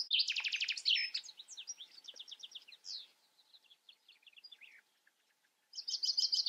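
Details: European goldfinch in loud twittering song: fast runs of bright, rattling trilled notes, then quicker tinkling phrases that fade. After a short pause, a new burst of rapid buzzy trills begins.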